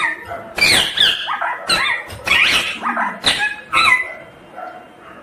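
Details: Loud, raspy squawks from a ringneck green parrot, with rapid, wavering notes in clustered bursts that fade into quieter chatter at the end.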